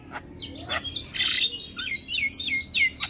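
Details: Male Javan myna song: a busy run of harsh chatters, squeaky whistles and rising and falling notes, loud and continuous without pauses.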